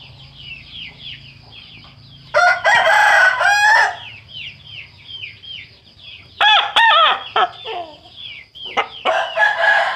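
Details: Roosters with a horn-like crowing voice, each sounding different: loud, harsh drawn-out crows, one after about two seconds and others later, between softer repeated clucking notes from other chickens.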